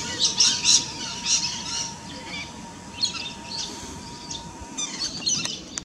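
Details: Rainbow lorikeet noshing away, filmed with a Nikon P900; bursts of sharp high squeals and scratchy chatter come in clusters separated by short quieter gaps, with a low steady tone humming in the background.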